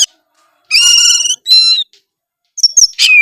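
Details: Vigorous gacor song of an Oriental magpie-robin, rich in isian fill-ins. Two rasping, harmonic phrases are followed after a pause by quick high chirps and a descending whistled slur.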